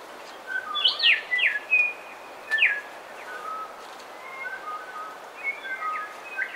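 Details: Bellbirds singing and calling in a coastal dawn chorus, some birds close. Loud bursts of sharp, steeply falling ringing notes and short chirps come in quick clusters, with softer level whistles from other birds behind. A steady hiss of background noise runs throughout.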